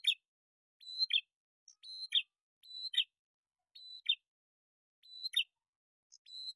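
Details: Male and female bar-winged prinias answering each other in a lure recording: a short flat whistled tone followed at once by a scratchy falling chip, repeated roughly every second in clean silence.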